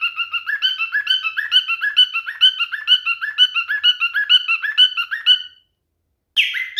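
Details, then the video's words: Male cockatiel's mating song, kept indoors as a pet: fast repeated whistled phrases, each a rising then falling note, about two per second, ending with a short pause and a louder burst. "#MaleCockatielMatingBehavior #FunnyCockatiel #CockatielScreaming #CockatielMaleBestSinging"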